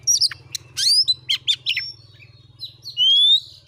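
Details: Oriental magpie-robin singing as a lure for a caged bird: scratchy chips and buzzy notes, a pause, then one long rising whistle, with a constant low mechanical hum underneath.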